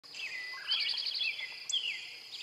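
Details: Male Eastern towhee singing: a couple of slurred introductory notes followed by a quick, bright trill of repeated notes, the drink-your-tea pattern, over a steady high insect drone.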